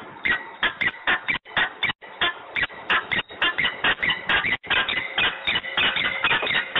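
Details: Peregrine falcon quarrelling in Włocławek, Poland, on 15 November 2020 at 14:22. It gives a rapid, harsh, chattering series of repeated scratchy notes, several per second, almost unbroken for about seven seconds.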